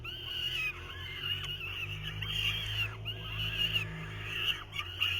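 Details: Young falcons at the nest in 2023 beg while the male attempts to feed them, giving strained, shrill, continuous screams with repeated downward-sliding inflections over a steady low hum.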